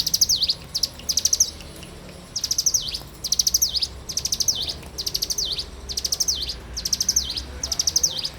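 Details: Morning song from a bar-winged prinia, repeated quick bursts of high sharp ticks ending in slurred V-shaped notes, delivered roughly once a second for over eight seconds with quiet background.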